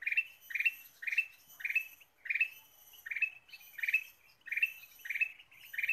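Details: Ruby-throated bulbul gacor lure song: steady, tightly repeated buzzy chirp bursts, about ten in six seconds, each bright and slightly descending at the tail, with a soft background hiss.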